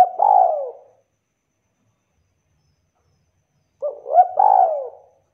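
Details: Spotted dove kuk call, given to set other doves calling: the tail of one drawn falling coo, a long pause, then a short phrase of quick arched coos ending in a sliding note.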